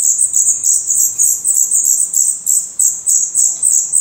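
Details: Black redstart nestlings in a nest in Portugal, eyes newly open and growing their adult feathers, begging with rapid high, thin hissing chirps, repeated many times a second in a dense continuous chorus.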